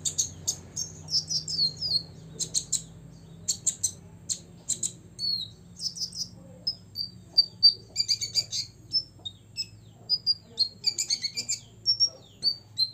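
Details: Olive-backed sunbird, six years old, in provoking song aimed at rivals: clusters of sharp buzzy chirps alternating with short high whistles and quick trilled runs, with faint low background hum.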